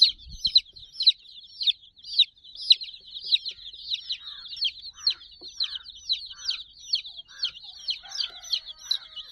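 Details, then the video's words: Chicken chicks, sixty in number, clambering playfully around a cuddly toy dog; a brief thump at the start, then bright, sharply falling peeps repeated roughly twice a second amid a lively chorus. "silly chicks chirping"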